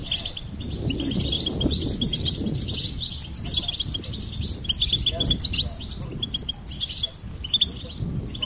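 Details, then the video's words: Goldfinch twittering continuously in high, chattering trills, partly masked by a steady low rumbling background. "Goldfinch Singing and Song Compilation"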